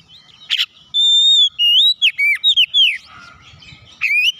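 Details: White-rumped shama song played to prompt caged birds to start singing: clear, high whistled notes, some long and level, others short and sliding up or down, delivered in quick bursts with brief gaps, over a quiet background.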